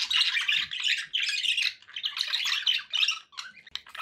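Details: Pet budgerigars produce a steady stream of scratchy warbles and squawky chirps, rising and falling in loudness in quick pulses, with a few soft low knocks.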